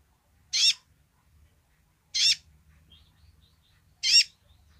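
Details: A sunbird (kolibri ninja) gives its basic call: three sharp, high, slightly buzzy chirps spaced about two seconds apart, over a faint low rumble.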